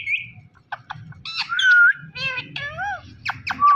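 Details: Captive Indian ringneck parrot talking, repeating the word "Mithu" in clear speech-like phrases mixed with sharp squawks and whistled, rising and falling notes, with a low hum behind.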